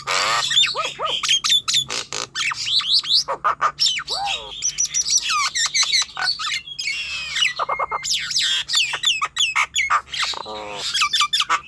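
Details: Nias hill myna vocalising to lure young, untrained or reluctant birds into singing: loud varied squawks, sharp upslurred and downslurred whistles and harsh bursts in rapid, irregular succession, with a faint low hum beneath.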